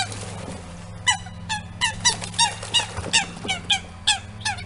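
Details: During a violent territorial fight at a pond, where a coot family with three almost grown chicks has intruded, Eurasian coots give a series of loud, sharp downward-sliding squawks, roughly two or three per second after a quieter start, over a low hum.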